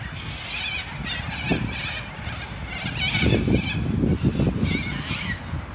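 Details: A large flock of Sulphur-crested Cockatoos and Corellas in Sunbury, Australia, gives harsh, grating screeches that overlap in ragged bursts, with other birdsong in the background, over a steady low rumble of wind or distant traffic.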